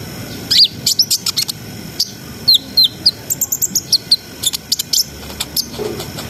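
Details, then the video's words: Brown-throated sunbird in continuous ngriwik ngerol gacor song meant to raise breeding arousal: shrill high clicks mixed with short descending squeaky whistles, delivered in irregular quick runs with a faint low rumble beneath. "SUARA KONIN GACOR NGRIWIK NGEROL SAMBUNG NEMBAK !! COCOK BUAT NAIKNA BIRAHI BAHAN"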